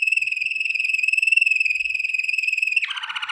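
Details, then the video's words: Waterslager canary singing for training, a fast even pulsing roll on one high pitch that switches abruptly into a lower, harsher buzzing trill near the end. "Legendary Waterslager Canary Singing For Training - وتر سلاجر"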